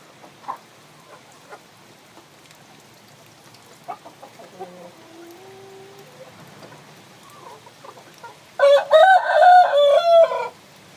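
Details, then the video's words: Rooster crowing while a hen sits on eggs: after faint scattered clucks and quiet background calls, a loud, hoarse crow of several connected rising and falling syllables lasts about two seconds near the end. "Gà trống kêu mái ấp trứng, âm thanh gà gáy"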